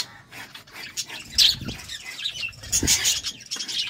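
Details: Budgerigars at courtship time giving scratchy, high chirps in irregular bursts, with a few louder shrill notes and soft low rustling between them.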